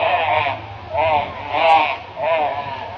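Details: Crows mobbing a barn owl in Brisbane, Australia; four loud, harsh, nasal caws spaced about half a second apart, with a low background hum.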